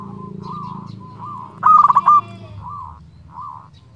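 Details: Singing local zebra dove used to call and provoke rival doves. Soft, evenly spaced single coos surround one loud, rattling burst of rapid notes near the middle, with a low rumble in the background.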